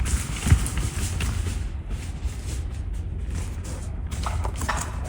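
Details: Outdoor rumble of wind or a running vehicle with steady low noise and a brief thump near the start; no animal voices are heard.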